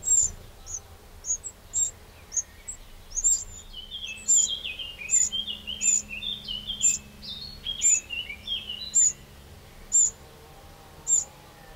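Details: Eurasian wren in a garden in the Châtillonnais, France, on 2 June 2023, repeating sharp, high call notes over twelve seconds, with another bird's lower twittering chatter running alongside.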